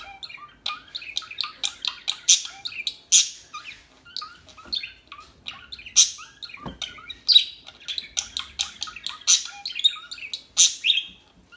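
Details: Several calm small birds chatter in a dense, continuous stream of quick high chirps and twitters, with louder sharp notes spread throughout.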